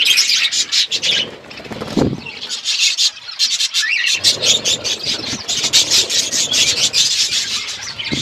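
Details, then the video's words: Feeding parrot and other birds on February 25, 2024: quick bright chirps in dense runs, a brief lull with a low thud around the second mark, then lively chattering resumes. "Beautiful Parrot eating food birds chirping sounds"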